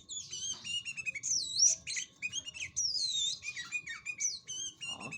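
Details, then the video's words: Sooty-headed bulbul (kutilang), a trained songbird its owner calls fully "finished" (sudah jadi), singing a rapid, varied, almost continuous chatter of bright high whistles, swoops and trills over faint low background noise. "Burung Kutilang Yang Suda Jadi Kicauanya Begini"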